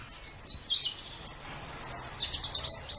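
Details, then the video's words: White-eye singing in a training recording for caged birds, best used morning or evening: thin gliding whistles, a pause, then a brisk rising whistle and a run of rapid high notes. "SUARA BURUNG - Masteran Terbaik Pleci Mata Putih"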